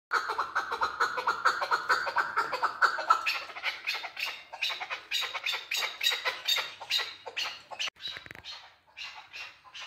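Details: Male chukar partridge calling: a rapid, harsh series of clucking notes, fast at first, running together, then thinning into separate chuck notes toward the end.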